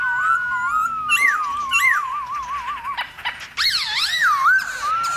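Black-throated laughingthrush song: rich, varied whistled phrases with rising and falling slurs and a rapid warbling trill, mid-pitched and loud.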